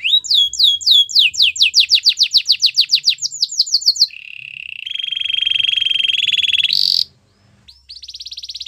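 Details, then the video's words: Canary song opening with an accelerating run of many sharp descending notes, then a long steady buzzy trill, a brief piercing high burst, and a final high rolling trill. "Your canary will sing unstoppably | Belgian canary singing"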